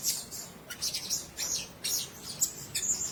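Blue-crowned hanging parrot giving thin, very high, sibilant chirps in quick irregular bursts, several each second, with faint background hiss.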